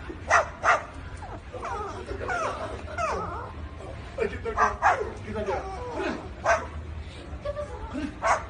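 A cockatoo gives short, harsh, dog-like barks between warbling, speech-like chatter.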